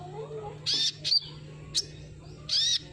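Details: Sunbird used as a lure sound: sharp high buzzy notes and quick chirps in short bursts, about four phrases in three seconds, over a faint low hum.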